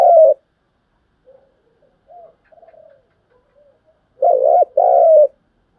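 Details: Spotted dove cooing, urging and calling coos used to train lure birds for trapping; a brief coo, a few quiet murmurs, then a strong double coo whose second note is drawn out.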